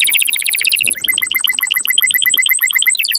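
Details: Canary song meant to stimulate males and arouse females for mating: fast rolling trills of repeated notes, switching after about one second to a steady tour of high doubled notes.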